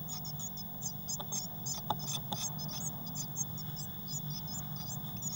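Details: Six Eurasian blue tit chicks in a nest box on 22 May 2019, a couple flapping their wings; quick, thin, high-pitched cheeps in uneven runs with occasional soft clicks and a low hum.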